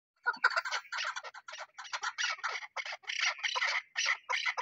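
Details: Chukar partridge calling in dense bursts of harsh, clucking notes, closely spaced and uneven, running almost without pause.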